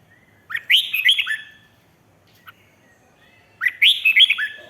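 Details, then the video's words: Red-whiskered bulbul singing "rik" style to stir up other birds: two lively phrases about three seconds apart, each opening with a rising note and rolling into quick, chirpy whistles. "เสียงนกกรงหัวจุก ร้อง ริก เปิดให้นกฟัง ยั่วให้นกคึกจัด chao mao"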